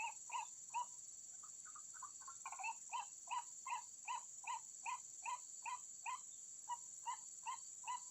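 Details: White-breasted waterhen call played as a lure for bird trapping: a steady run of short, hollow notes about twice a second, with a few quicker softer notes early on, over a constant high electronic hiss.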